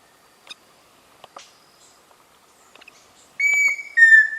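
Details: Pheasant cuckoo, known locally as peixe-frito, giving two clear whistled notes at the end, the first higher and held, the second slightly lower, after a quiet stretch with faint ticks and clicks.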